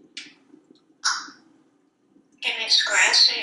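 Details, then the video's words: A pet male African Grey Parrot in a Texas kitchen, perched on the faucet, makes two short squeaky clicks, then launches into a long stretch of mimicked human-like talking with whistled inflections. "Einstein resolves to talk more in 2020"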